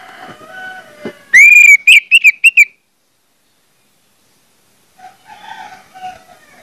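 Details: Orange-headed thrush song played to prompt other thrushes: faint background chatter, then a loud long whistle and a rapid burst of short whistled notes, followed by quiet with soft distant sounds.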